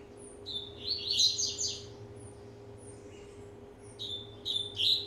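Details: Rusty-collared seedeater, one and a half years old, warming up: a whistled note leading into a rich bright warbling phrase, quieter interval, then fresh sharp whistles, over a steady low hum.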